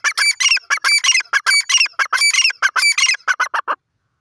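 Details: Grey francolin giving a loud, harsh call series: strident, ringing notes repeated in quick rhythmic succession for nearly four seconds, then stopping abruptly into silence.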